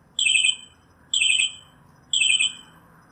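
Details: Northern mockingbird phrase repeated three times about once a second: a harsh, downward-slurred buzzy note, against a faint background hiss.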